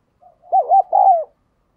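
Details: One full call of a spotted dove lure bird, a quick pair of arched hoots followed by a longer, gently falling coo.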